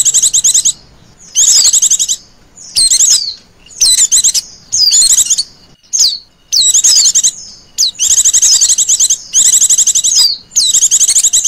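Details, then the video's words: Female Oriental white-eye lure call in a trilling style, used for attracting birds. About ten bursts of fast, high, rattling trills and downslurred notes are separated by short silent gaps. "pancingan pleci betina ngecirrr"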